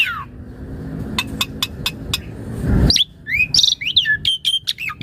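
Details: Asian pied starling in full vigorous song, meant for training and luring other starlings: a row of sharp clicking ticks, a harsh swelling rasp, then lively looping whistles and chirps jumping up and down in pitch.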